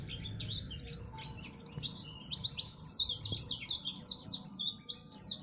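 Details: Contest-winning oriental white-eye, known as pleci, sings at a neighbourhood-level bird competition. It delivers a fast, continuous stream of high, bright, descending slurred whistles. There is faint low background rumble.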